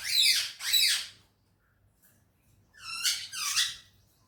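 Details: Cheerful pet parrot, kept as a talker, utters two loud, arching, harsh calls, a short quiet gap, then two more nasal, wavering squawks, recorded close indoors.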